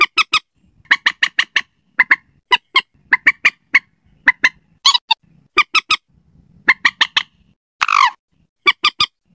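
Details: Slaty-breasted rail, lure sound intended for night: rapid uneven clusters of sharp, hard notes, closely packed, with a couple of longer squealing screeches between the groups.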